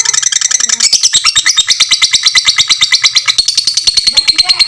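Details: Fighter lovebird with a long ngekek, recorded to tutor other lovebirds: quick, insistent series of sharp, high chattering notes, regular and loud, becoming slightly faster toward the end.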